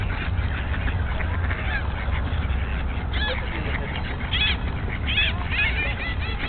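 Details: Ducks fighting in spring 2009, with a female duck pulling at another, give a few harsh, honking calls in short bursts during the scuffle, over a steady low rumble of wind or handling noise.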